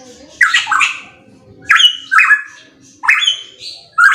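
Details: Loud pitohui phrases: grating, squawky notes that slide down, given in two or three clusters with short pauses between them.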